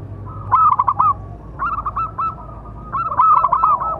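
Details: Local zebra dove with a big voice, used as a master and lure call for other doves: three bursts of rolling, trilled cooing around a steady low pitch, each about a second long, with short pauses between them.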